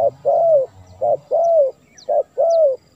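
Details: Spotted dove call played to lure wild doves, repeating paired notes, a short hoot followed by a longer arched coo, about once per second, mellow and low, with a few faint high chirps in the background.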